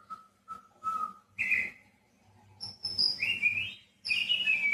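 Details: White-rumped shama singing: a few soft, level whistled notes, then clear rich phrases that rise and slur upward into higher, sweeter whistles, separated by short pauses. A low hum runs quietly in the background.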